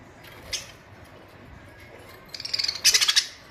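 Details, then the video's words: Pet budgerigars: after faint notes, a rapid series of sharp, clicking chirps builds into a loud rattled burst of about eight notes. "My budgies birds"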